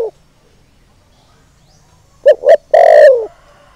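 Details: Spotted dove decoy calling to stir up wild males. After a silent stretch comes a single phrase of two quick short coos, then a drawn-out, rough-textured coo that sags gently in pitch.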